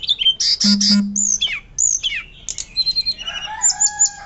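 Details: Loud, fluty song of a Hill blue flycatcher from Indonesia, meant for training other songbirds: sharp downslurred whistles and chattering notes, ending in thin sustained high whistles, with a low steady hum early on.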